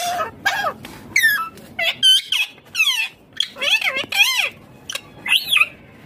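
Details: Indian ringneck green parrot talking, a string of short squawky and whistled syllables with wavering harmonic tones, separated by brief pauses.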